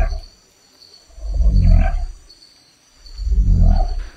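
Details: Southern cassowary giving its low booming call, said to be the lowest animal sound a human can hear, made by vibrating an inflated air sac with the head bent; two deep, swelling rumbles about two seconds apart, with faint high background hiss.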